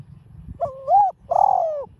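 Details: Spotted dove calling in the 'giọng đồng pha' voice style, used to provoke caged doves: two mellow hooting coos, the first rising and wavering, the second longer and slightly falling, over a low background rumble.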